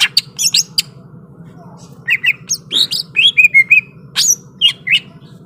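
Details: Greater green leafbird in fighting-ready song: crisp chips and whistles, a short quiet spell, then a lively sequence of warbled, sliding whistles and sharp high notes, over a steady low hum.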